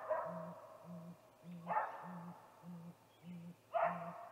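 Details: At a snag tree nest on 21 April 2019, 8:45 pm, a male great gray owl calls before visiting: deep, flat, evenly spaced hoots, roughly two each second, with three loud rough wailing bursts over them.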